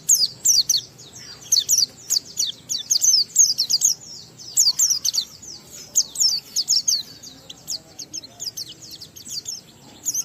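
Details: Oriental white-eye song meant to stimulate other white-eyes, a long stream of rapid high chattering and falling whistled notes in dense bursts, fading somewhat toward the end.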